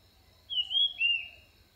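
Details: Orange-headed thrush used to attract birds, giving two short clear whistles, the first slightly higher and the second dropping.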